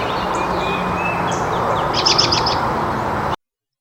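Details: An American Robin in Virginia or the Carolinas gives a brief, woodpecker-like whinny of high, even notes on one pitch, half a second long, over steady low rumbling background noise.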